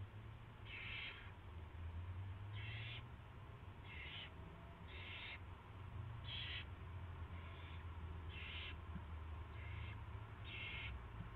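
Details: During a rat delivery at 7:05 PM, March 2, 2016, an owl repeats nine hoarse, hissing screeches at fairly even intervals of about a second and a quarter, with a constant low hum behind.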